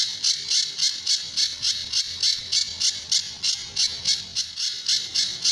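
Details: Sunda bush warbler master song for tutoring other birds, with the tembakan and besetan sound: rhythmic, grating high notes repeated quickly and evenly, roughly three and a half per second throughout.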